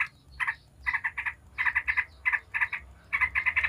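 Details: Yellow-vented bulbul in rapid chattering ngebren style, used as a lure to make other bulbuls call back: short bursts of bubbly, buzzy notes in clusters of three to four, separated by brief pauses.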